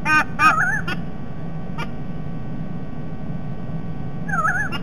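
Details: White-bellied sea eagle at its nest in Sydney Olympic Park, Australia, near Parramatta River, 16 December 2021, as the male returns home. A few short nasal honking notes open the clip, followed by quiet, then another wavering honk near the end, over steady low hum.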